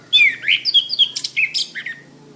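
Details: Master recording of an orange-headed thrush for training cage birds: a brisk two-second run of sliding whistles and squeaky notes, fading to quiet at the end.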